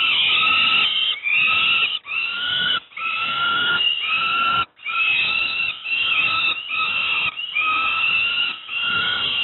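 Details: Peregrine falcon youngsters at Moszna, Pruszków, Poland, getting their breakfast, give a continuous run of hoarse, rasping wails, about ten cries in quick succession separated by short gaps.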